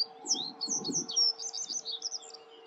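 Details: Common reed bunting singing in Grote Netevallei, Gestel, on 28 May 2022: a run of short, high, chirpy notes in quick succession, with a steady low hum and a brief soft rumble underneath.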